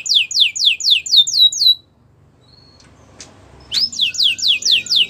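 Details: A white canary sings repeated descending whistled sweeps at about four per second, falls silent briefly with a faint click, then resumes the same quick sweeping phrase.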